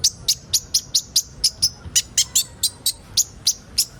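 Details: Sunbird called kolibri ninja, in a recording for training young birds: a regular run of very high, sharp chip notes about four per second, evenly spaced throughout.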